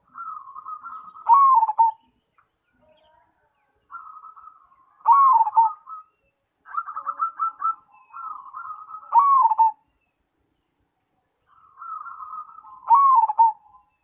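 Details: Zebra dove, Cemani variety, singing repeatedly: soft purring trills each ending in a louder wavering coo, four full phrases roughly every four seconds.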